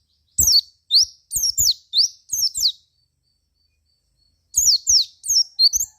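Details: Lure song of a Javan white-eye, meant to make other white-eyes respond: two phrases of thin, high twittering whistles, some falling and some rising, separated by a pause of about two seconds.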